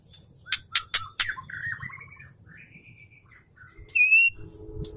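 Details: Female Oriental magpie-robin calling to lure a male, kept bird: sharp clicking notes, then soft whistled phrases and a loud, clear high whistle near the end, over low background hum.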